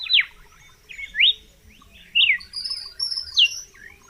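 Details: Three loud swooping whistles from a red-cowled cardinal, each a sharp falling slur, followed by softer higher notes.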